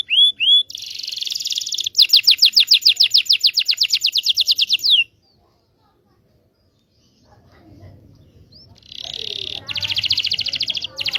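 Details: Local Indonesian canary training song for juvenile birds: two looping whistles, then a fast bright trill of repeated notes for three seconds, silence, and a renewed buzzy trill.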